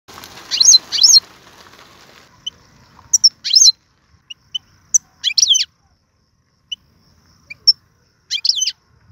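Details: Algerian European goldfinch singing a rare tiwawati and galoubi song with serfati notes: short, bright, high chirped notes in scattered pairs and clusters with gaps of silence between, a faint hiss at the start.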